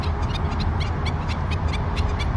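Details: Black-necked stilts, a whole flock, very chatty one July 2020 morning on the LA River where the soft bottom meets concrete, a mudflat-like shallow by noisy freeways: sharp, high, overlapping yipping bursts over a low traffic rumble.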